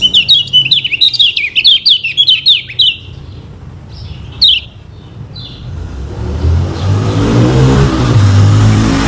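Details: Yellow kecial of Lombok (lemon-bellied white-eye) singing as a teaching lure: three seconds of quick chattering warbled notes, a few scattered chips, then a rising vehicle engine drowns the background.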